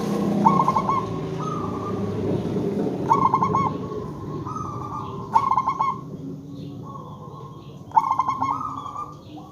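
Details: Lure zebra dove of local stock, calling to make other zebra doves respond: four rippling cooing phrases spaced about two to three seconds apart, set against a loud low rumbling background.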